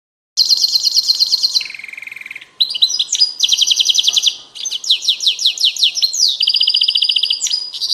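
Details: A captive European goldfinch, kept as one of a pair, sings a bright, high, fast twitter of rapid repeated trills and buzzy runs, with one lower, steadier phrase early on.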